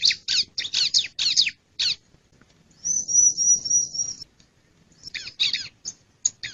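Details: Male bar-winged prinia: quick sharp chirps and squeaky notes, then a long thin wavering high whistle of over a second, followed by more scattered chirps.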